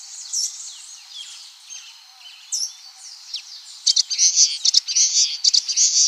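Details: Common waxbill singing, recorded clean without sound effects: a few thin, high slurred notes early on, then loud rapid buzzy chatter from the midpoint onward.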